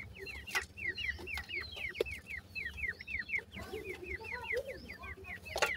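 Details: A rapid string of high, sliding peeps from grey francolin chicks, nearly regular at first, then joined by lower, softer chirrups midway, with occasional sharp clicks.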